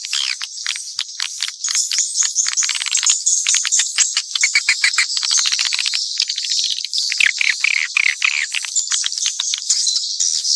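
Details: Mixed swiftlet calls: a continuous high twitter layered with quick dry clicks and occasional short buzzy phrases, all at a busy, even pace.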